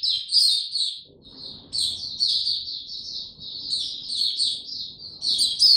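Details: Singing cage-bird white-eye, Mata Puteh, in power-down mode: bursts of thin, high twittering and sliding whistles in uneven phrases separated by short gaps, over a soft low background hum.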